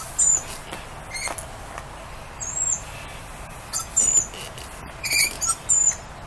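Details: Several lorikeets outside saying hi to a person they know, giving a run of sharp, high-pitched chirps and squeaky screeches at irregular intervals, some in quick pairs, over steady soft background hiss.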